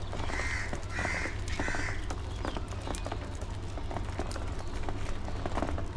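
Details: Budgies during early morning feeding time: three harsh, nasal squawks in quick succession over the first two seconds, then scratchy clicking and rustling over a constant low hum.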